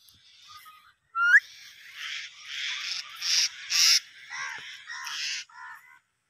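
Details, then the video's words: Talking parrot, called Mian Mithu, producing a series of short harsh vocal bursts and a rising whistled note, with speech-like segments spaced irregularly over about six seconds. "Most Beautiful Talking Parrot Mian Mithu"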